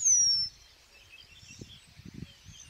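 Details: Eurasian penduline tit, a migrant, in spring among willows and riverside meadows of Żuławy Wiślane, Poland; a single thin, high, descending whistled tsiiu lasting half a second, followed by soft low rumbling noise.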